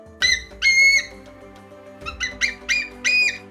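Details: A captive female bald eagle at a wildlife centre, unable to fly because of an old collarbone fracture, gives thin, high chirping notes: two squeaky calls, a pause, then a quick run of piping chirps.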